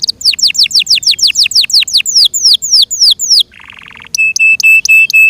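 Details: Loud song from a Yorkshire canary: quick repeated falling whistles slowing into longer downward slurs, a brief low buzzy rattle, then steady clear piping notes repeated about twice a second.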